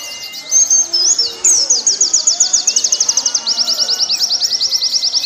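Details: Training recording for caged birds of a warbling white-eye: a sustained, evenly pulsed stream of high chirped notes that gradually slows and softens, with faint distant whistles of other birds in the background.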